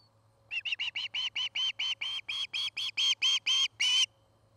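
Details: Osprey calling at a nest near Charlo, Montana, recorded on a nest cam one afternoon while a pair builds a nest. About fifteen piercing whistled notes, spaced evenly and swelling in loudness toward the end, over a faint electrical hum.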